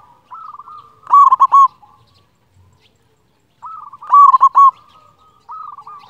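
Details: Zebra dove of a local strain, loud and in full song, used to get lazy birds singing. Two phrases about three seconds apart, each a soft lead-in followed by a loud, rapid bubbling coo cluster.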